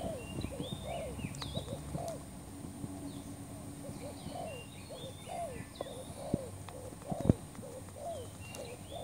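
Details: Spotted dove lure call used for trapping: low hooked coos repeated in quick series, about one per second, with other birds whistling and chirping higher above and faint rural background noise.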